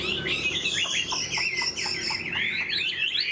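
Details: Tame hwamei in a cage sings a fast run of slurred, warbling whistles, with crisp clicking notes interspersed through the phrase.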